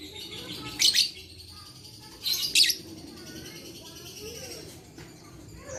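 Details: Lovebird sounds used as therapy to coax silent lovebirds into singing: two groups of shrill, rasping chirps a second and a half apart over a thin, continuous high twitter and faint background hum.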